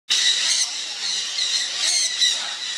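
A Lady Amherst's pheasant gives a harsh, hissing squawk lasting over two seconds, high and raspy, with slight surges in strength partway through.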